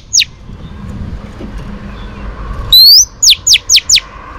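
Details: Female Oriental magpie-robin singing to stimulate males, used for training: a lone sharp downslurred note, a pause, then a loud high rising whistle followed by four quick clear downward-sweeping notes.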